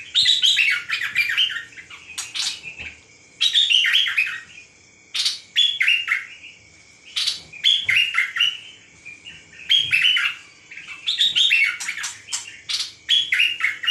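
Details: Nok dok taeng bird calling with bright, rapid chirps and twittering phrases in bursts of one to two seconds separated by short pauses, with a faint steady hum underneath.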